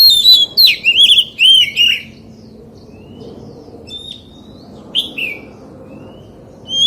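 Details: White-rumped shama forest-style song: a two-second burst of rich whistled warbles, then mostly quiet with a few short notes and a last loud phrase, over a low background hum.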